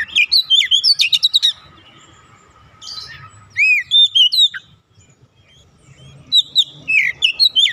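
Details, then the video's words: Untrained oriental magpie-robin, a raw bird that quickly joins in singing energetically: bursts of loud, varied whistled notes, slurred upward and downward, with pauses between phrase groups and a faint steady hum underneath. "KACER bahan langsung ikutan gacor"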